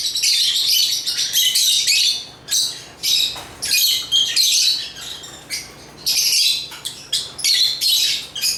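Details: African lovebirds chirping: choppy runs of harsh, high squeaks and chatter, broken into short bursts of under a second with brief quiet breaks between them.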